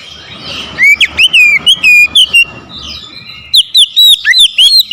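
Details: Oriental magpie-robin, provoked into aggressive song to challenge a rival: loud whistled phrases around 2–4k, rapid bursts of rising and falling notes with harsh overtones, two song bouts separated by a quieter pause.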